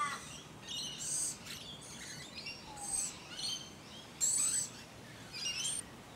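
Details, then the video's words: Musk lorikeets filmed up close in the bushy suburb of Hunters Hill, Sydney, Australia, late 2020: a series of piercing, high, rasping screech bursts, irregularly spaced, about five in six seconds. "Up close with marvellous Musk Lorikeets"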